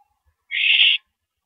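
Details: Owl at a mouse delivery at 9:17 PM on 13 April 2012, a single drawn-out harsh hissing screech of about half a second in near silence.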